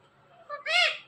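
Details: Pet parrot, one of two talking birds, says a word: a short faint note, then a louder nasal syllable that arches up and down, rich in harmonics, in a quiet room.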